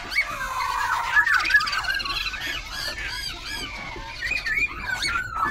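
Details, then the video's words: Caged Black-throated Laughingthrush, a semi-tamed wild-caught bird, in Tân Túc, Bình Chánh, Ho Chi Minh City, singing while dancing with tail and wings and constantly switching voice. Rough, squawky warbled notes with rapid slurred whistles and a steady background hiss. "Khướu Bạc Má Bổi Lỡ Hót Múa Đuôi Cánh Đảo Giọng Liên Tục"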